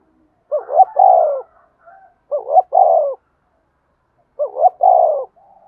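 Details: Spotted dove calling and provoking fights, repeating its phrase three times about two seconds apart. Each phrase is a quick double note followed by a long, rolling, downward-sliding coo.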